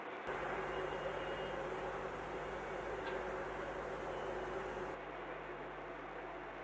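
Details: A steady broadband roar like passing traffic or a train fills the recording.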